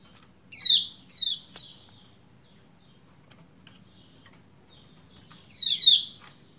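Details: Lombok white-eye female calling a male to get him singing: a loud falling 'ciak' and a softer second note, a long quiet gap with faint ticks, then another strong descending pair.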